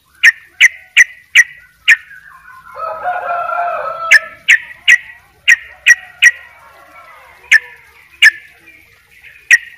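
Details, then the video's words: Sooty-headed bulbul from Bali singing vigorously in the "dobel ropel" style. Quick bursts of sharp, clicky whistled notes come in rapid series, broken by a rougher warbled passage in the middle, then resume in staccato runs. "trycuk bali dobel ropell gacor"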